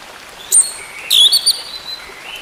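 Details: Orange-headed thrush, its song used to help a silent bird resume singing. Sparse clear whistled notes: a short high note, then a rising, wavering whistle with a trailing lower tone.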